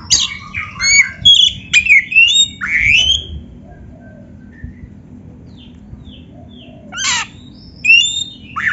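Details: Oriental magpie-robin (kacer) singing as a training recording: a dense burst of twittering, sweeping whistles, then a quiet gap with soft distant notes, before brief loud descending and rising phrases return.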